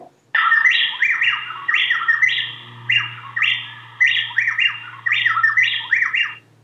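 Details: An Andean male-female pair of plain-tailed wrens duets, alternating syllables so fast it sounds like one bird: loud rapid whistled rising-and-falling motifs about every second, with short gaps where the male drops out, leaving the female singing alone.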